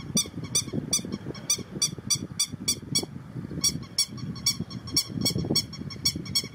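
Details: Grey-headed lapwing, 6 July 2019, calling insistently: short, shrill, metallic notes in a quick regular series, about three per second with brief pauses, against constant low-pitched background rumble.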